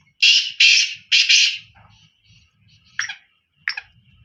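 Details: Black francolin calling: a loud phrase of four harsh, buzzy notes, the last two run together, followed by two short sharp notes and faint low rumbling.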